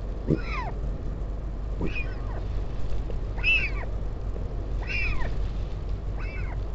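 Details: Northern royal albatross at the Taiaroa Head colony near Dunedin, New Zealand, as a parent visits its chick on 16 July 2019, filmed by a live camera. Five plaintive, meow-like arched whistles about every one and a half seconds over wind rumble.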